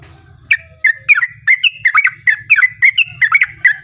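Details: Sooty-headed bulbul song used as a lure to make other bulbuls sing in reply: a long, lively run of short bubbly whistled phrases around a steady pitch, repeated rapidly several times a second, over a faint low hum.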